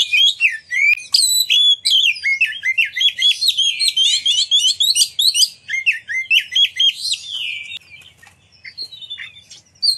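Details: Oriental magpie-robin in full, lively song used to provoke other magpie-robins into singing and spreading their tails: a rapid, varied stream of whistled and chattering phrases, loud and continuous, fading toward the end.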